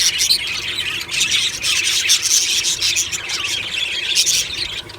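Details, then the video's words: Budgerigars in an aviary colony on a happy morning, loud squawks and squeals standing out from a constant bed of high twittering chirps. "Beautiful Budgie morning happy singing and chirping sounds"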